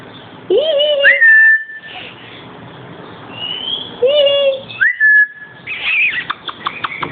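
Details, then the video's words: Pet male black-capped lory calling, kept indoors and taken out to play: clear whistled notes, a rising-then-level whistle near the start and again around four seconds, with brief sliding higher whistles between and softer chatter near the end. "(black capped lory) - making noises"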